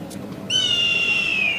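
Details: A black kite in Kashmir gives one loud, high, drawn-out whistle lasting about a second, slowly falling in pitch at the end, over a quiet background.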